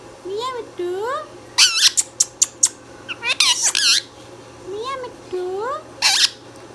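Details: Pet Indian ringneck parrot indoors, giving rising slurred whistled notes in pairs between bursts of harsh, sharp squawks, with a quiet room hum behind.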